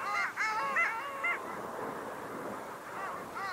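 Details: Long-tailed duck, Estonia's bird of the year 2023, giving a rapid burst of nasal, wavering honks in the first second and a half, then quieter distant calling, with a fresh burst at the end.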